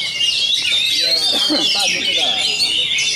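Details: Singing-contest Oriental magpie-robin (kacer), an award-winning bird in Bogor, Indonesia, performing with strong volume; clear rising and falling whistles mixed with rapid chatter, while people talk softly nearby.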